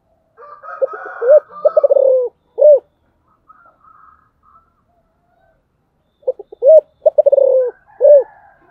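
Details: Spotted dove's special giọng thổ song, heard in two phrases. Quick clipped lead-in notes build to a loud arched coo and a rapid pulsing roll, then a closing rounded coo. Faint higher bird notes fill the pause between phrases.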